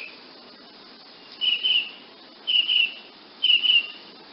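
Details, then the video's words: High-pitched twittering from a woodnymph hummingbird, in three brief buzzy bursts spaced about a second apart. The pauses between them are quiet. "hummingbird, wood nymph sound effect"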